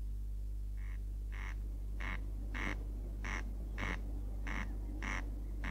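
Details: A corn crake, a bird of meadows and grain fields, sings dry, rasping notes like a fingernail drawn over a comb, repeated roughly every half second over a steady low hum.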